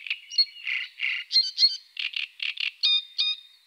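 Eurasian coot giving a quick series of about ten short, sharp, high notes, roughly three per second, some with a ringing tonal edge.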